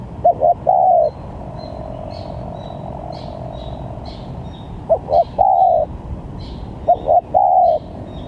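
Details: Spotted dove used as a lure for trapping, giving a quick doubled coo then a long sustained coo in three spaced phrases; faint high chirps from other birds and a constant low hum between them.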